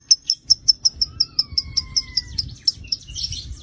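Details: Lovebird chattering: a fast series of sharp, high chirps about five per second, with thin, drawn-out whistles underneath, over a low background rumble.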